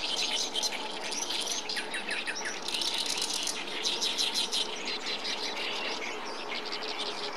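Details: Oriental reed warbler singing in a reed bed along the Tone Canal, Japan, on 19 May 2014. It gives harsh, rasping, chattering phrases that run almost without a break, dense and scratchy throughout.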